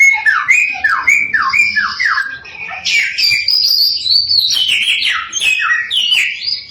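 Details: Samyong lure recording meant to provoke other samyong birds into singing: loud, rich whistled phrases, first a run of repeated falling slurs, then a varied string of high stepped notes.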